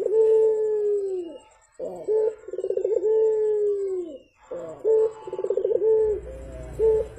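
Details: Javan turtle dove, burung puter, calling in the morning: long smooth low coos alternating with bursts of rapid rolling pulses, repeated every couple of seconds, a faint low rumble near the end.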